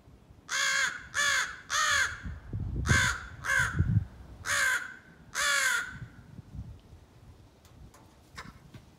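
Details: Juvenile crow rehearsing its scolding and territorial calls gives seven rough, nasal caws in quick succession over roughly five seconds, then falls silent, leaving faint background rumble and light clicks.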